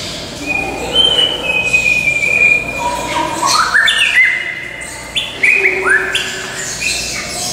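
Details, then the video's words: A white-rumped shama at the Tulsa Zoo, 14 May 2017, sings a rich, varied run of clear whistles, sliding and stepping between high and low notes, over a faint background hum. "White-rumped Shama Singing"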